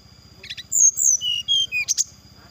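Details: Brown-chested jungle flycatcher singing to provoke rival birds into quick response; short buzzy notes lead into a string of whistles falling in pitch, closing with a high burst, against a steady high tone and low throbbing hum.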